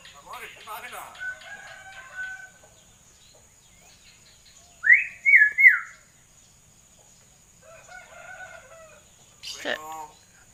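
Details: Common hill myna chattering like a human: scattered harmonic calls, then a loud rising-and-falling whistled phrase in three quick pulses midway, followed by softer chatter and a sharp burst near the end.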